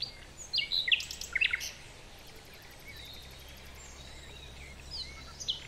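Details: American avocet (Recurvirostra americana) at a river gives a quick cluster of sharp, high yelping notes, then a softer call near the end, over a steady low rush of water.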